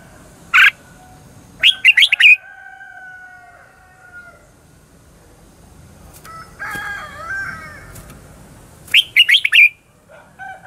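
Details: Red-whiskered bulbul lure song, a fighting-style performance for training birds. Single harsh notes and quick rattling phrases of sharp chips alternate with a fainter warbled passage and thin sustained whistles between bursts.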